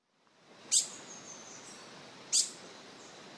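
Green-headed tanager giving two very high, sharp, thin tsit notes about a second and a half apart, over a faint steady background hiss.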